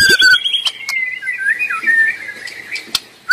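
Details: White-rumped shama singing in the wild, a short passage of mellow, wandering whistled notes that rise and fall, opening with a couple of louder clear whistles and ending with a sudden sharp note.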